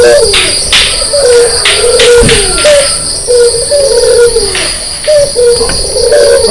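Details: Low, throaty coos from a white red-eyed Barbary dove in the morning, repeated in short rolling phrases, backed by a continuous high buzzing hum and a few faint clicks.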